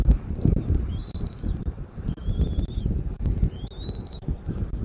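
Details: Bald eagle at a Southwest Florida nest, caught by a nest camera on 13 January 2024 in the afternoon: four thin, drawn-out whistles, level or gently rising, spaced about a second apart, amid dominant low-pitched wind noise.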